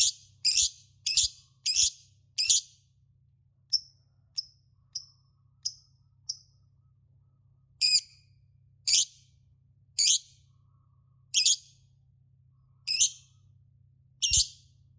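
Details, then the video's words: Lovebird call used as a lure to stimulate other lovebirds, with a long ngekek: sharp, high shrieking chirps in quick pairs, then thinner softer notes, then loud single shrieks about once a second, over a faint low hum. "Suara Burung Lovebird untuk pancingan lovebird"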